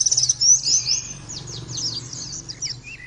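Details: Oriental white-eye song for prompting birds to sing. Opens with a fast, bright trill, then falling twitters, ending in a few lower slurred whistles, over a faint low hum.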